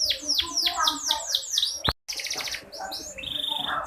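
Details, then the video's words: Female canary voice used to prompt lazy males to sing. Rapid descending high sweeps about four per second, a sudden gap, then a buzzy trill and higher whistled notes. "Suara burung kenari /pancingan buat burung kenari yang malas bunyi."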